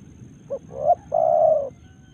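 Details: Spotted dove from Karawang, Indonesia, giving one three-part cooing phrase: a short low note, a rising middle coo, then a long, even, drawn-out final coo, over a low background hum.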